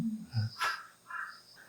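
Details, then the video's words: Wild crows calling outdoors during a counseling session, heard on and off throughout; a single harsh caw-like note, then fainter calls, with a brief voice at the start. "까마귀가 방금 까까까 울었죠? 들었어요?"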